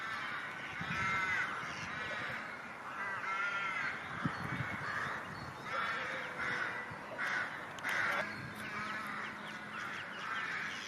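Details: Ducks and ducklings calling together, used to call ducks: eleven seconds of crowded, harmonic, arching calls pulsing in bursts about every second, with scattered clicks and a faint low hum later on.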